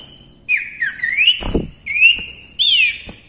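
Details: Cipoh (common iora) singing gacor-style for masteran: short whistled phrases that dip and then rise, four in about three seconds, with a brief rushing noise in the middle.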